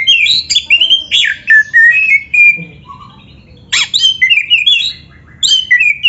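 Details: Oriental magpie-robin kept as a cage bird, song meant to stimulate singing in training: loud descending whistled phrases in quick runs, a brief pause, then more falling slurred whistles.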